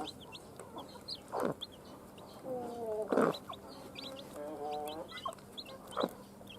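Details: Newly hatched chicks from hen's eggs cheep in short, high notes throughout, while louder thumps and a few lower, wavering harmonic sounds come and go.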